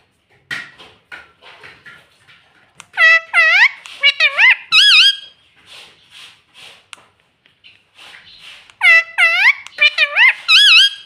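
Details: Talking pet parrot heard indoors: soft scattered squeaks give way to two bursts of loud, bright, swooping harmonic notes given in quick succession, each burst lasting about two seconds.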